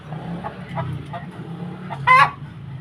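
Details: Chicken; egg-laying cackle; hen announcing she has laid an egg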